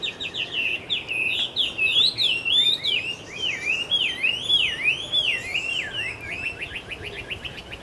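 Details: Taiwan hwamei recorded on 10 October 2013 at Caonanpo, giving a loud, rich run of varied whistled phrases, swooping up and down, with fast repeated notes at the start and end, over steady background hiss.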